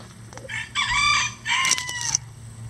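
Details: Farm rooster, one of at least 20 standard and bantam chickens kept together, gives a two-part crow. A short lead-in note comes first, then a strong held phrase, a pause, and a second phrase sliding downward. Low hum and clicks underneath.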